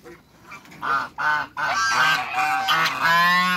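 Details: Loud nasal honking from a giant couple of African geese in a backyard, opening with separate honks that quickly run together into a near-continuous, overlapping stream of harsh calls.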